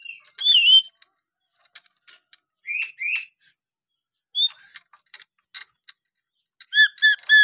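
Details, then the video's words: Lory of Papua in natural voice: clipped, bending whistled chirps in pairs, scattered ticking clicks, then a fast closing series of four or five bright, sharply looping notes. "siulan alami burung nuri paltem papua"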